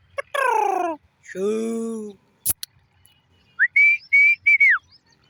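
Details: Black francolin: loud, harsh, descending harmonic cries from another animal open the recording, then a click, then a quick phrase of level, buzzy whistled notes ending in a falling slur.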